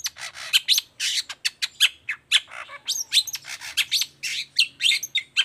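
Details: Long-tailed shrike singing the toet toet song meant to make silent shrikes respond: a dense, nonstop jumble of harsh chatter, squeaky whistles and scratchy notes packed closely together.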